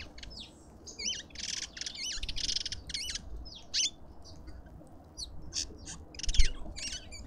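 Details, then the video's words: Lovebirds at a garden feeder in suburban Pretoria, South Africa, give repeated squawking, hooked high notes and buzzy shrieks in quick runs, the calls thinning into isolated sharp chirps later. "Lovebirds endlessly"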